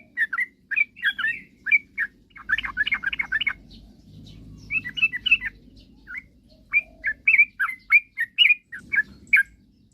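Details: Sooty-headed bulbul song, sung to provoke rival birds into calling: many bright chirping and bubbling phrases, some in quick clusters, some spaced singly, with a low hum in parts.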